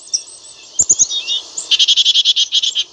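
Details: A black-capped chickadee with a soft, high chattering start, then a loud even series of about twelve quick buzzy notes, with some clicking in between.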